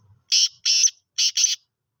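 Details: Five-month-old black francolin (kala teetar) calling for the first time: four harsh, grating, buzzy bursts delivered in two quick pairs, with near silence around them.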